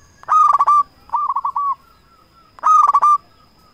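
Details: Lure call of a local zebra dove, intended to rouse rival doves into calling back. Three short rolling coo trills, loud, then softer, then loud again, each about half a second, with quiet gaps between them.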